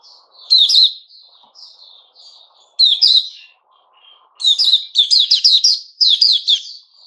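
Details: White-rumped shama, 29 August 2021, in "sing buka" song: loud whistled phrases with soft trailing notes, building into fast repeated chattering bursts near the end, with faint low background murmur.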